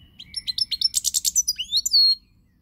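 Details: European goldfinch song, 20 March 2020: a fast sequence of high chirps building into a dense buzzy trill, then finishing with rising and falling liquid whistled notes.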